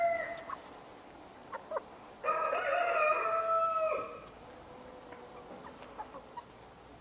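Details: Partridge-coloured Araucana chickens give a few short clucks, then a loud, drawn-out, harmonic call lasting nearly two seconds, followed by scattered soft clucks.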